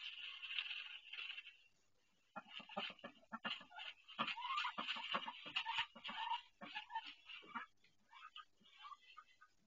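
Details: Female duck in pain while laying her first egg, indoors on a nest she built, watched by camera; harsh, raspy calls run in a dense burst, pause, then resume as rapid uneven strained cries.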